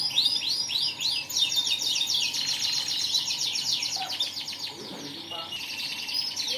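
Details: Canary in full song, a fast run of high sweeping notes merging into a long buzzy rolling trill, then further downslurred whistles, with faint low background noise.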